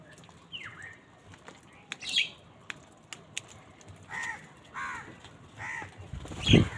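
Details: Many crows calling on a winter morning, gathered and fighting over food: a few hoarse, arched caws spaced about a second apart late in the clip, with scattered clicks and sharp knocks. Outdoor background.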